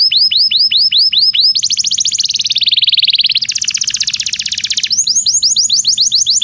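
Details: Belgian canary singing as a training song for non-singing canaries: curved whistled notes repeated twice a second, then a dense rolling buzzy trill, then quick sweeping notes again.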